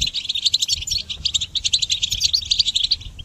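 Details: Goldfinch song used to train songbirds: a dense, rapid stream of bright tinkling chirps and liquid twitters, fluttering without a break.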